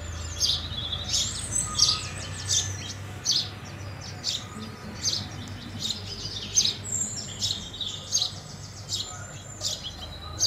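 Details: House sparrows, filmed around sparrow food, give a steady run of short, bright chirps, often overlapping, roughly every second, over a low constant hum.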